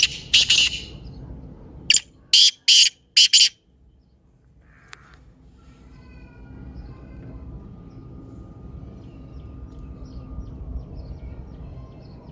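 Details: Black francolin calling, a sound meant to spur a quiet francolin into calling: a single harsh rasping note, then a quick run of four loud, grating, clipped notes, followed by quiet with faint distant chirps and low rumble.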